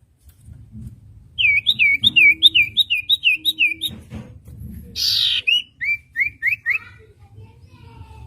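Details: Common iora song for training young wild-caught songbirds: a fast series of about ten sharp, slurred whistled notes, then a harsh burst and a few further falling whistles, with faint low background hum.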